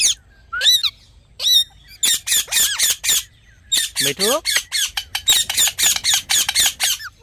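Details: Rose-ringed parakeet, reportedly talking: two opening rising squeaks, then long rapid runs of shrill, raspy squawks, with one lower descending warble in the middle.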